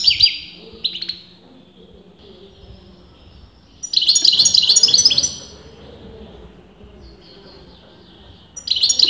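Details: Continuous singing from a European goldfinch whose sex top breeders argued over: brief tinkling twitter bursts separated by quiet gaps, with a dense, bright chattering phrase in the middle and another starting at the end.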